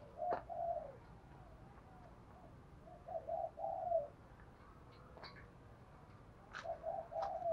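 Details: Spotted dove in Đồng Thổ voice, a lure call of calling coos plus thúc and gù notes for attracting wild doves; short bursts of two to three low mellow coos spaced a few seconds apart, punctuated by sharp clicks over low hiss.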